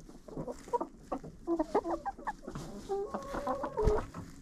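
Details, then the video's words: Chickens in a coop, recorded close with a GoPro, trade brief tonal clucks and a few longer even whining notes, several birds calling over one another, with a sharp knock near the close. "Hanging out with Chickens in a Coop"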